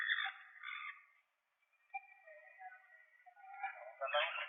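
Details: Puerto Rican parrot, an endangered endemic species, handled for transmitter fitting, gives raspy squawks at the start, a brief pause, then softer scratchy notes and a loud harsh burst at the end.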